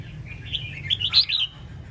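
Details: Red-whiskered bulbul, Sông Kon strain from Quảng Nam, kept caged and singing "ép giọng" style to teach young birds. One clear, loud, rolling warble of high liquid notes rises to a bright peak and then stops.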